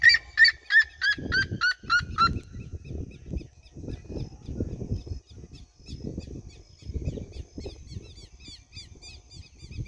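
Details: Flock of red-legged seriemas singing around the recordist in open country fields: a rapid run of loud, ringing yelps, about three a second and slightly falling, then fainter yelping continues from further off over a low wind rumble.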